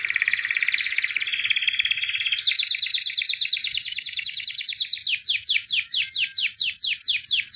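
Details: Champion white albino canary singing a long buzzy trill that speeds into rapidly pulsed high notes, then breaks into a regular series of clear descending swept whistles, repeated about twice a second.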